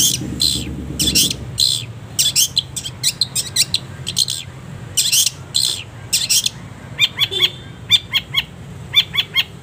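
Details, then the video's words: Long-tailed shrike singing in a training recording used to teach caged birds. Harsh, buzzy, hissing bursts come in quick clusters, then turn into a run of short, clipped, ringing notes, over a faint low hum. "masteran // pancingan // setingan burung cendet penuh jeda"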